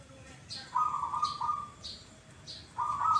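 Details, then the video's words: Perkutut (zebra dove) whose voice goes "kuk, kuk" twice: a purring trilled coo split into two parts, then another starting, mid-pitched and pulsing, while small birds give high short chirps roughly every second. "PERKUTUT YANG SUARANYA KUK, KUK /KUK 2 / ( DUA) KALI."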